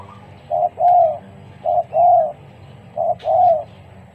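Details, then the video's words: Spotted dove acting as a lure bird versus a freshly trained one, cooing low and hollow in three paired phrases, a brief note then a drawn-out bowed note, spaced about a second and a quarter apart, with a faint click. "TEKUKUR PIKAT VS TEKUKUR AJARAN BARU"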